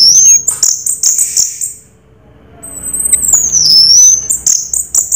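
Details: Orange-headed thrush, 'raja teler' song: shrill high chirps, a short silence, then one long thin whistle sliding downward before more rapid high chirping resumes.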